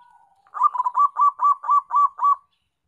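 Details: Local zebra dove singing actively: after a faint low hum, a run of eight rolling coos near one pitch, each a short warbled note repeated about every quarter second.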